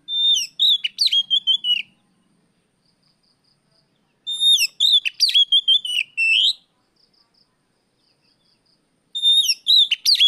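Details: Oriental magpie-robin singing in the afternoon in a 'riwik plong' style, used as a lure for other birds: three loud phrases of clear whistles and rich, varied notes, each about two seconds long, separated by pauses with a few faint soft chips.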